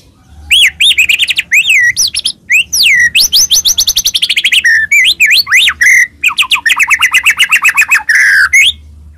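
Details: Energetic white-rumped shama song played to spur rival shamas into singing, with fast, varied whistled phrases, sweeping upslurs and downslurs, and dense rapid note runs with scarcely a pause.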